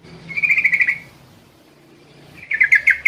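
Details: Yellow-vented bulbul calling at night, said to be a female calling for the male. A rapid string of bright warbled notes fades out. After a quiet gap, a second string of loud chirps begins.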